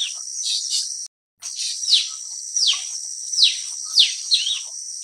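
Blue-winged Leafbird giving sharp, high whistled notes that drop steeply in pitch, several in quick succession, over a steady high insect drone.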